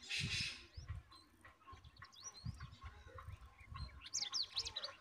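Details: Hungry bulbul nestlings being fed by their mother beg with thin, high, rapid chirps and squeaks that rise to an excited burst near the end, over low thumps and rustling.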